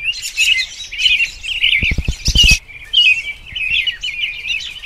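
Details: American robin singing in spring: continuous warbled, caroling phrases in a mid-high band with brief pauses. Other birds chirp overlapping, and a short burst of low thumping knocks sounds near the middle.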